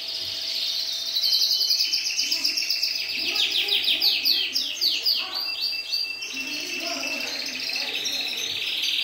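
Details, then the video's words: Syrian canary song of quick repeated sweeping notes that speed into a loud rattling trill, then a smooth high rolled phrase, with faint hum behind. "تغريد كناري سوري"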